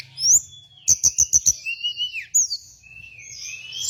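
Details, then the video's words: Hill blue flycatcher song used as a lure and tutor recording for training birds: high whistled notes, a quick burst of five sharp repeated chips, then drawn-out sliding whistles that fall and rise. "Masteran dan Pancingan burung Tledekan gunung paling ampuh dan fenomenal"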